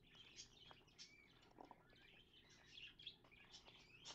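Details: Pet budgerigar cleaning out its nest box, seen through a mirror: soft, scattered chirps and warbling twitters mixed with scratching and rustling, all fairly quiet.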